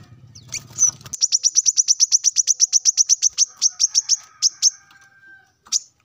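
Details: Male plain-throated sunbird calling rivals in the morning: after a second of low hum, a fast run of sharp, high, evenly pitched chip notes, about three per second, slowing and thinning out toward the end, with one last note.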